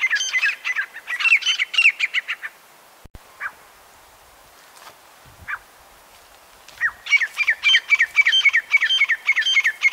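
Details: Grey francolin (teetar) delivering loud, ringing, rapidly repeated calls, breaking off into a quiet pause with a few scattered single notes, then resuming the fast rhythmic series near the end.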